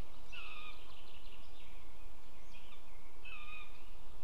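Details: Buzzard at a nest in Estonia on 20 June 2015 around 18:00, delivering prey and flying off with it; two drawn-out, high, slightly falling mewing calls over steady rural background noise.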